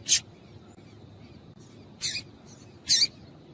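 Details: Female double-collared seedeater calling to stimulate males into song. Three short, high, hissing notes, about a second apart, some slightly doubled, over quiet background noise.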